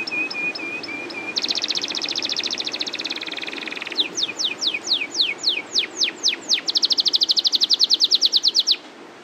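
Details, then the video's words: Canary in a long rolling song: soft level whistles, a dense buzzy trill, a run of downward-slurred notes, then a fast bright rattle of high notes. "SUARA KENARI LOPER NGEROL PANJANG GACOR TERBAIK !"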